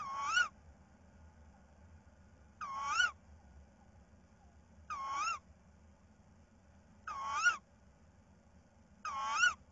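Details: Tawny owl bringing a mouse to the female, recorded on 10 March 2019 at about 19:24: five short, hoarse, nasal calls with a rising-falling inflection, repeated roughly every two seconds, over a low background rumble.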